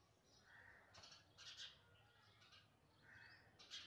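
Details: House sparrow chicks begging while being fed: a series of harsh, noisy chirps, some drawn out and some clipped, coming in uneven bursts against a low background hum.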